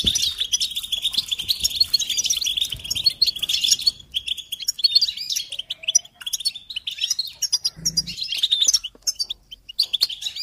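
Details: Song of a European goldfinch, recorded for teaching young birds: lively high twittering that is dense at first, thins into scattered chirps midway, and then returns as quick tinkling runs. A faint low thump is heard near the eighth second.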